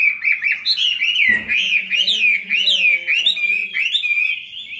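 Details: Fighting song of a caged Chinese hwamei kept two years, sung while fanning: an unbroken stream of loud, looping whistles rising and falling several times a second, with a brief rustling knock near the start.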